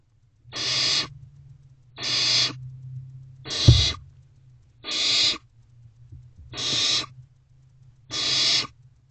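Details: Barn owl owlets in a nest box, 21 May 2023 at night, one working on a rodent; six rasping screeches repeated about every 1.5 seconds, a sharp knock from inside the box mid-sequence, low steady hum throughout.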